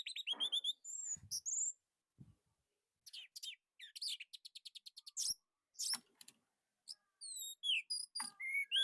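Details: Orange-headed thrush from Indonesia, a master song with a tight, loud delivery. Bursts of high chirps and whistles alternate with short pauses: rapid trills, slurred notes and repeated ticking phrases, moderately faint overall.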